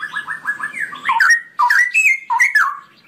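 A straw-headed bulbul opens with a quick run of stuttering notes, then breaks into loud, rich, bubbling whistled phrases that slur up and down.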